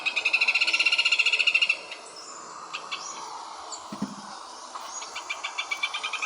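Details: Rufous hornero singing: a loud rapid burst of sharp repeated notes for under two seconds, then quieter scattered chirps and another soft run of repeated notes at the end.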